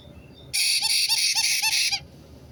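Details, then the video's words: A white-bellied caique, a parrot, lets out a drawn-out grating screech lasting about a second and a half, broken into several quick throbbing pulses, with near silence before and after. "White-bellied Caique 金凱克 鸚鵡 Parrot"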